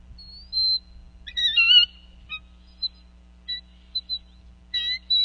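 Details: A female bald eagle calling over a fish at a Northeast Florida nest while both adults feed the eaglets, late afternoon, 8 January 2014. Clear, high whistles and wavering, chattering notes come in loud, uneven bursts with short pauses.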